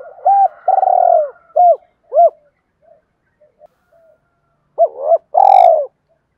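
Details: Spotted dove used as a lure to prompt other doves to call, giving short arched coos and a long low drawn coo, then after a brief pause a second cluster of two quick coos and a longer coo.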